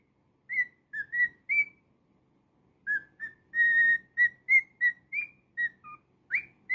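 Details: Singing pet cockatiel gives a lively run of separate whistled notes, some rising, some falling, one held longer. A few quick chirps and a lower note come near the end, at a brisk and uneven pace.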